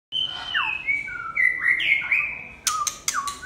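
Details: Red-whiskered bulbul singing a run of clear whistled phrases that glide and slide mostly between mid and high pitch, ending with sharp broadband clicking knocks between the last notes.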